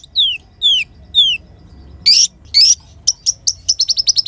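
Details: Sunbird song used to teach other songbirds: three sweet down-slurred whistles, two harsher rising notes, then an accelerating series of short high chips.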